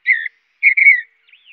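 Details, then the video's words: Mountain bluebird giving soft, husky whistled chirps: a short note, a longer slurred one, then a faint rising-and-falling note, against a quiet background. "Mountain Bluebird Chirps"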